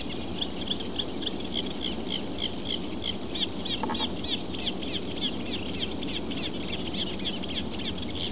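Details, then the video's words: In a southern Portugal reed bed, a reed warbler gives rapid, uneven chattering, about three to four short scratchy notes per second, with a constant thin high hum beneath and a low murmur of background noise. "Reed Warbler"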